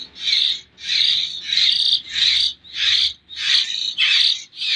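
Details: A hand-fed young common hill myna from Jember gives eight rough, buzzy begging bursts, evenly spaced at just over half-second intervals, against a quiet background.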